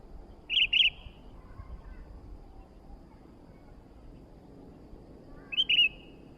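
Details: Sooty-headed bulbul giving a short bubbly two-part phrase, then silence for several seconds before a similar warbled phrase returns; low background rumble throughout.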